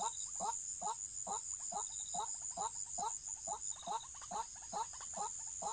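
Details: White-breasted waterhen, in a trapping setting: repeated short, rough, falling croaks about twice a second, with faint softer notes between and a persistent shrill insect hum.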